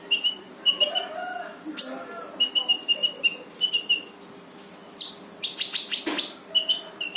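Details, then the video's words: Sunbird, brown-throated, in lively 'gacor' rapid-fire song intended to make a silent sunbird join in: fast strings of thin level whistles broken by sharp high chips and brief pauses. "KONIN GACOR FULL TEMBAKAN || UNTUK MANCING KONIN MALES BUNYI LANGSUNG IKUT BUNYI"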